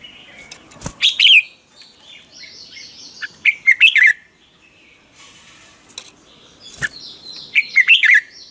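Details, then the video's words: Red-whiskered bulbul giving a morning training song; scattered short warbled phrases separated by pauses and sharp clicks, with fainter bird notes in the background. "Chào mào hót ché luyện giọng quá hay 2020, luyện chào mào hót sáng, cách luyện chào mào hót căng lửa"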